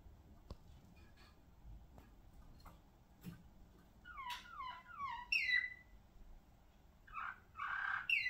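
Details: Malinois Waterslager song canary: clusters of descending gurgled notes and short rolling trills, with a louder buzzy burst near the end. Scattered clicks and knocks come from the room.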